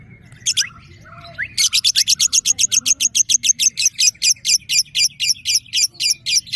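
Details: Female competition lovebird of fighter type, one and a half years old, from Balikpapan, Indonesia, sings rapid, evenly repeated high sharp chips, about four per second, after a few scattered notes at the start.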